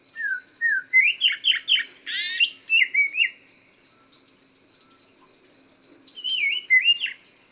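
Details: Chinese hwamei song for teaching caged songbirds: a rapid series of bright, steeply rising and falling whistled notes, about ten in quick succession, then a quiet gap before a final pair of warbled whistles.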